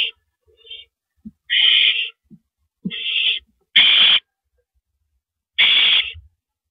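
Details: Owls at a nest at 1:11 AM on April 6, 2012, as the male delivers a rabbit: harsh, hissing screeches, each about half a second long, come in irregular bursts, with a few faint softer notes between them.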